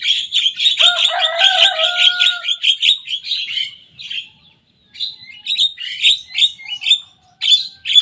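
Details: Lively young Javan myna copying the songs of rival birds; long streams of raspy chirps run over a brief layered tone, fade to a pause, then return in choppy, uneven bursts.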